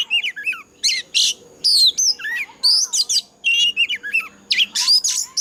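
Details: Fighting song of an Oriental magpie-robin with a wild forest voice, used as a decoy to train captive birds to sing; bright whistled swoops mixed with scratchy broadband notes, short phrases separated by brief pauses, faint steady tone behind.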